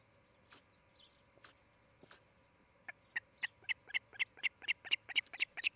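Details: Osprey at a nest near Charlo, Montana, on a nest camera in late morning, 23 July 2018; after a few faint clicks, a run of sharp high chirps begins and grows steadily louder, about four per second.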